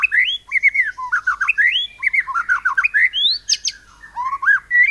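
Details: White-rumped shama delivering cungkok cililin-style singing meant to spur other birds to sing, with a rich, varied stream of whistled phrases, slurred rising and falling notes, quick trills and a few high squeaky accents.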